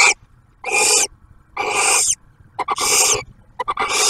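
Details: Barn owls at a nest camera near Oak Harbor, Ohio, Ottawa National Wildlife Refuge, 2023: male delivering food, female sharing a meal with the first hatched owlet. Loud broadband hissing screeches and shorter rasping bursts, irregular, about one per second.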